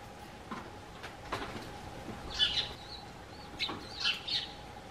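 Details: Eurasian tree sparrow greeting its human from a garden bench: a few soft opening notes, then louder chattering chirps in two short bursts, with a faint constant hum behind.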